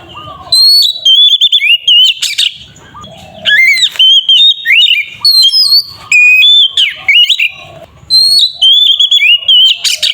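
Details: Caged oriental magpie-robin in full song, used as a lure to provoke other magpie-robins into singing: loud, rich whistled phrases with rising and falling slurs and sharp upswept notes, delivered in bursts separated by short pauses.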